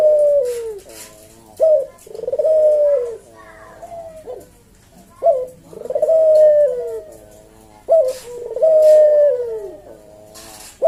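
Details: Caged Javanese collared dove performing its melodious kuk-deruk cooing in the slow 'senggang' style, meant for training and luring other doves. It gives a brief clipped note, then a drawn-out, level-then-dropping coo, in irregular phrases with short pauses.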